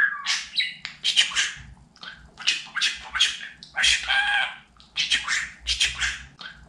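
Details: Talking pet budgerigar chattering rapidly indoors: clipped, buzzy word-like syllables in quick runs, broken by brief pauses, with scratchy high tones and a low steady hum underneath.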